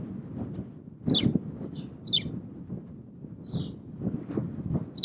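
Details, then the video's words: Spanish sparrow (Passer h. hispaniolensis) on Fuerteventura, Canary Islands, Spain, February 2017, giving a few sharp, high chirps that drop in pitch, about one a second, over steady low wind rumble. "Moineau espagnol (Passer h. hispaniolensis) Spanish Sparrow"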